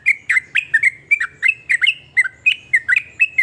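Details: Sooty-headed bulbul giving varied trucukan song said to trigger other bulbuls to sing; fast sequence of clear, slurred liquid whistles, roughly four notes a second, with a faint low hum beneath.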